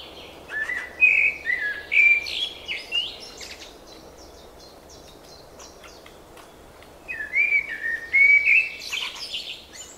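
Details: Two separate warbled phrases of spring birdsong, each a quick chain of looping whistles, split by a quieter stretch of scattered clicks and distant chirps.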